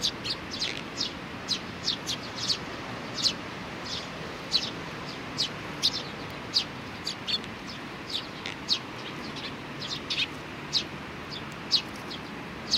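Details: Sparrows with little ones on 27 June 2019 give a long run of short high chirps, roughly two or three a second, fairly even in loudness over a low steady hum of outdoor noise.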